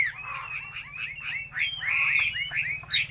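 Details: Chinese hwamei song of quick, varied slurred whistles and chattering phrases, some notes sliding upward, delivered in bursts with brief gaps over a low background hum.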